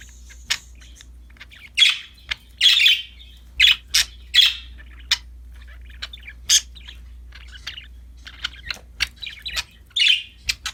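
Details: Happy budgerigars playing with a new toy keep up busy, irregular chirping and sharp ticks, up to about 77 notes per minute, in short louder bursts between softer scattered clicks.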